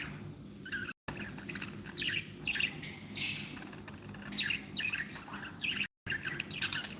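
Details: Pet budgerigars described as happy keep up a busy warble of chirps, clicks and short squawky notes, with a few brief dropouts and a constant low background hum.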